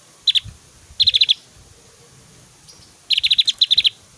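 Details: Javan grey-throated white-eye in full voice, its song mixing whistles with loud, long 'tembakan' shot notes. Here: one sharp high note, then a rapid run of five clipped chips, a pause, and two more fast bursts of four or five notes.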